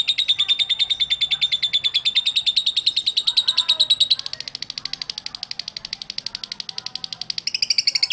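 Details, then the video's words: Lovebird ngekek song used to prompt singing in other lovebirds: a fast, shrill, pulsed trill that drops in loudness midway, faint low murmurs beneath it, then rises strongly again near the end. "INI CARA MEMANCING BURUNG LOVEBIRD, PASTI BUNYI MENDENGAR VIDEO INI.. LOVEBIRD SINGING"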